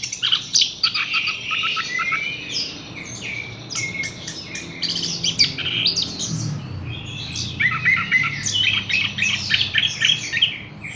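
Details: Lively Horsfield's bush lark song of rapid chattering phrases mixing high chips, buzzes and slurred whistles, repeated in uneven bursts.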